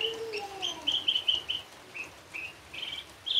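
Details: Javan bush lark sings a fast, varied string of short high chirps and trills with a few lower slurred whistles over faint hiss; a richly varied singing lark used as a lure for young Javan bush larks.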